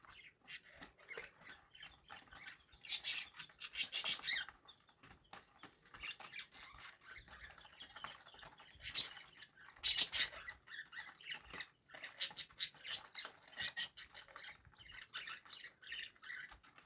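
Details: A tame female pet budgerigar preparing to lay eggs chatters in short, scratchy, high bursts of warbling and chirps.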